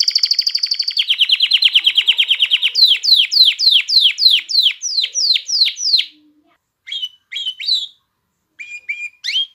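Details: Canary song intended to excite females to mate and train chicks: a fast high trill dropping to a lower rolling one, then a steady series of downward-slurred notes about three per second, then scattered short calls.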